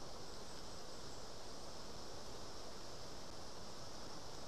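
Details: Steady, even hiss with a low rumble like wind or rushing water fills the whole stretch, and no animal call stands out.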